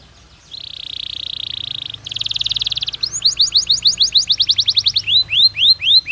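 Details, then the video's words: Canary singing to stimulate breeding: a steady buzzy roll, a faster intense roll, then a series of crisp descending notes slowing into separate slurred whistles. "تغريد كناري محفز يزيد نشاط الطيور ويجعل موسم التكاثر أكثر نجاحًا"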